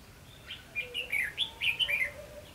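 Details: Red-whiskered bulbul singing in a contest during decoy trapping, recorded 19 July 2016: a run of bright whistled phrases rising and falling between roughly 2 and 4k, several quick notes in close succession over quiet background.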